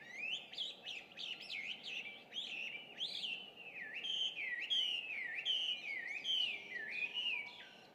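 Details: Dawn song of an introduced Chinese hwamei, June 2, 2019, about 5:30 a.m.: loud, clear whistles sweeping up and down in a steady string of looping phrases, nearly one per second.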